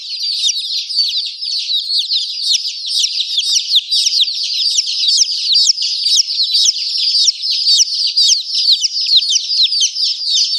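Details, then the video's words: Numerous young chicken chicks peep continuously, high thin chirps tumbling over one another in a busy, unbroken chorus. "Murgi baby chirping sound"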